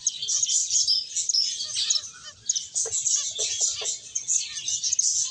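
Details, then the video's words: Lively finches playing and eating give dense, high-pitched chirps and twitters, joined midway by a cluster of lower tapping or pecking sounds. "Cute Birds Chirping Sounds | Beautiful Finches Playing and Eating"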